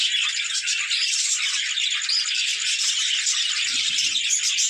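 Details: Budgerigars at play chattering nonstop, a dense blend of squeaky whistles, high chirps and grating warbles forming a busy, steady chorus.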